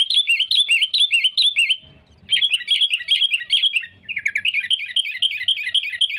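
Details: Sooty-headed bulbul in lively full song, played to lure rivals for trapping. Rapid looping chattering notes repeat quickly in three dense bursts split by short pauses, with soft low thumps in the gaps.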